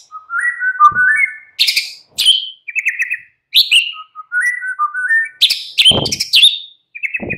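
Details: White-rumped shama song used in the afternoon to provoke a caged bird: rich varied phrases of low slurred whistles alternating with sharp buzzy bursts and short trilled notes, in quick succession with brief pauses.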